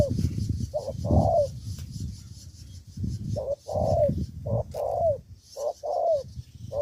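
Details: Spotted dove serving as a trapping decoy in Cà Mau, Vietnam. Its cooing phrases of a short note plus a longer slurred note recur steadily against a strong low rumbling noise.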